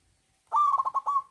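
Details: A single phrase from a loud local zebra dove in full song: a stuttering burst of about five rich, hollow coo notes ending on a held note.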